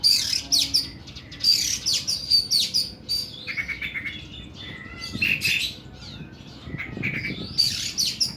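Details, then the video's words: Oriental magpie-robin (kacer) in long, harsh 'nembak' song: rapid clusters of scratchy, buzzy high notes repeated in quick succession, then lower whistled trills and rasping chatter, amid low room noise. "KACER KUKU BIMA NEMBAK PANJANG & KASAR"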